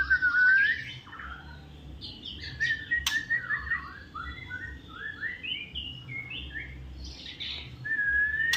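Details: Magpie-robin singing a varied, fast run of sweet whistled notes and short slurred phrases, opening and closing with a clear rising whistle, over a low background rumble.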